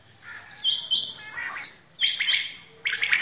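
Common quail giving short bursts of high, liquid chirping notes, repeated in quick clusters about every second, over a faint low background hum.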